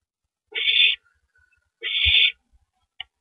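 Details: At the nest at 9:14 PM on April 9, 2012, an owl passes rabbit prey to its mate; two long breathy screeches a second apart, then a short click-like note, with a low bump between.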